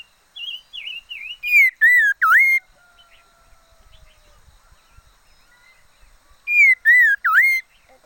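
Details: Decoy liocichla singing wavy whistled notes leading into three loud, level and dipping whistles, a quiet gap with faint low thumps, then the three loud whistles again.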